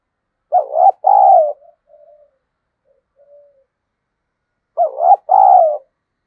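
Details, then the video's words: Spotted dove calling to lure wild doves. Two phrases of low, hollow cooing, each a quick wavering double note then a longer drawn-out coo. Faint soft coos sit between them against silence. "Tiếng cu gáy kích bổi hiệu quả, cu gáy Gọi. cu gáy thúc gù kích bổi"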